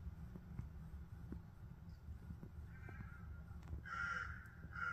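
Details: British magpie outside a window: harsh, rattling chatter bursts in the final second and a half, preceded by a fainter raspy note, over a steady low rumble of background noise.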